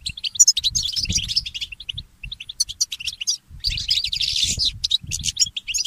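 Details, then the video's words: Early-morning song of a mule goldfinch hybrid: dense, fast high-pitched twitters and buzzy trills, pausing briefly mid-way before a louder warbling burst, with faint low knocking beneath. "The inspiring Motif of the Mule Goldfinch"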